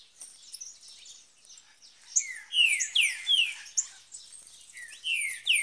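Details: Green-winged saltator singing in the woods near a cage: a string of strong downward-slurred whistles, several in quick succession, mixed with high thin chips and faint background chatter.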